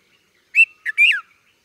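A red-vented bulbul gives three quick, liquid chirping notes, the last sliding downward, over a quiet, clean background.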